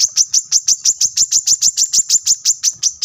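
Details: Brown-throated sunbird singing for the training of cage birds: an unbroken rhythmic series of piercing high chips, about three per second, evenly spaced and all at the same high pitch.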